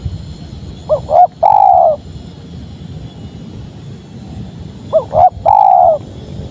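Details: Spotted dove song heard twice, about four seconds apart. Each phrase has two quick rising notes followed by a long, drawn-out, gently falling coo, with low steady background hum between phrases.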